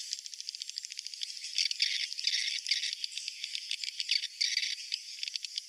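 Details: Swiftlet roosting call played to attract swiftlets: a continuous, dense, rattling chatter of rapid clicks and buzzy twitters, pulsing several times per second at steady loudness, with no other sounds.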